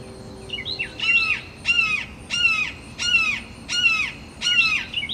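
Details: Perched red-shouldered hawk making territorial calls with rival hawks: six loud, harsh, downslurred screams in a steady series, one about every three-quarters of a second, with fainter chirpy notes between them over a quiet outdoor hiss.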